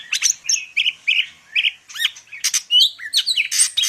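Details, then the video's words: A greater green leafbird from Medan delivering a fast, mimicry-like medley of short whistled notes, harsh chips and quick upward slurs, tightly packed with almost no pause. "cucak ijo medan_gacor full isian"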